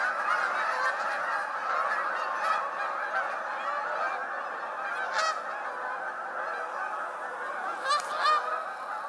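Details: Hundreds of Canada geese taking off suddenly at Appleton Farms, 24 January 2016, in a warm winter; a massed chorus of honks with a few sharp, louder calls standing out near the middle and end.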